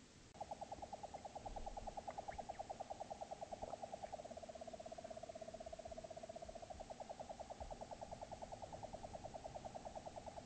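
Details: A European nightjar churrs for the whole stretch in Upper Teesdale, during copulation attempts: a low, dry, mechanical trill that shifts to a smoother, slightly lower tone midway before the rattling returns.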